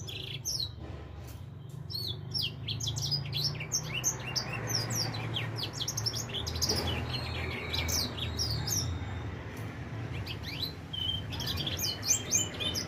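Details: Four-month-old edel sanger finch starting to sing, pouring out quick high chirps and sharp slurred notes in bursts, with a short pause near the end before more twittering; low background hum throughout.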